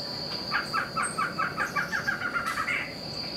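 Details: A Barred antshrike, one of a pair visiting a backyard in Itupeva, São Paulo, Brazil, gives a quick series of about a dozen nasal, chuckling notes that speed up and end higher, over a high insect buzz.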